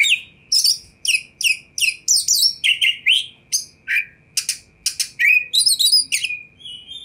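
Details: Kacer, the Oriental magpie-robin, singing to draw a response from other magpie-robins: a varied run of high chirps, downslurred whistles and short buzzy notes, over a faint steady hum.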